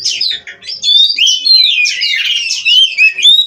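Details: A breeding-farm Oriental magpie-robin pours out continuous 'gacor' song: a dense stream of slurred whistles and scratchy warbles, roughly four notes a second, with a clear rising whistle to close.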